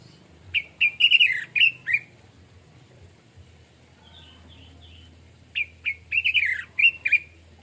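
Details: Orange-headed thrush, known locally as anis merah or punglor, sings in the easy 'plong santai' manner. Two bursts of rapid, sweet whistled notes and slurs are separated by a quiet gap of several seconds.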